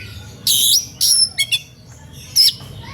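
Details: Agitated Oriental magpie-robin, singing to lure rivals into calling back: harsh loud rasping bursts mixed with brief high whistled notes, over a faint low hum.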